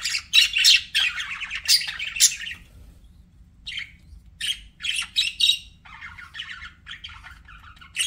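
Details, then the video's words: Pet budgerigars chirping in bright, high warbling bursts, with short bouts of rapid tweets separated by brief pauses and a quiet gap near the middle, then scattered chirps resuming. "BUDGIE SOUNDS"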